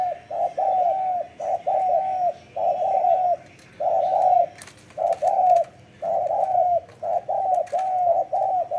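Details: Repeated mellow coos from a spotted dove known as an avid cooer, phrases of two or three notes with drawn-out endings, roughly one per second, with a few faint clicks in the background.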